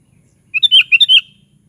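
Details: Sooty-headed bulbul (kutilang) song: a single cheerful phrase of six fast, rolling, whistled notes with a bubbling quality, clean and loud over a faint low background hum.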